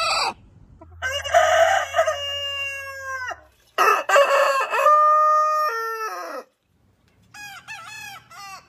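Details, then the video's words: Heritage-breed rooster crowing twice in long, ringing phrases, each about two and a half seconds, opening rough and settling into a sustained tone that drops at the end, with a third shorter wavering crow beginning afterward. "Hane Gallos Cantando Chicken Crowing as Chicken Song Suara Ayam Pelung Berkokok Hahnen Krähen"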